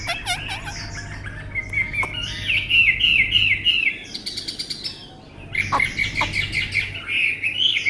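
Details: Tame Chinese hwamei, described as having a fine voice, sings a loud, varied song: rapid runs of repeated whistled notes, sweeping slurs and buzzy trills. A short quieter pause comes midway, over a steady low hum.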